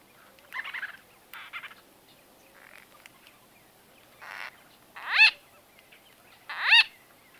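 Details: White-fronted bee-eater conversation recorded at close range, date unknown: soft buzzy rolling notes in short bursts, then two loud ringing calls sweeping downward, about a second and a half apart.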